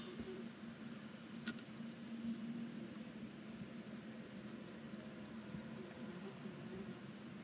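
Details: Steady low hum fills an indoor space, with faint muffled noise and one brief click, and no calls heard.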